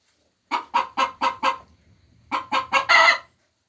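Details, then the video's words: A hen's egg-laying cackle: five loud clucks, a short pause, then three more clucks building into a long squawk. "Sounds of 🐓Chicken's Laying Eggs 🥚🥚"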